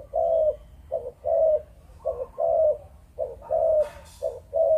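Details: Spotted dove, Malaysian breeding strain, cooing 'chụp chụp ô': four clean phrases of a clipped double note and a longer falling coo, evenly spaced about one second apart, with a brief rustle near the end.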